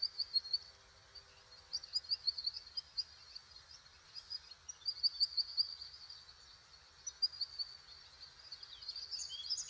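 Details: American goldfinch giving thin, high twittering chips in quick clusters of three to five notes, repeated every second or two over a steady hiss of background noise.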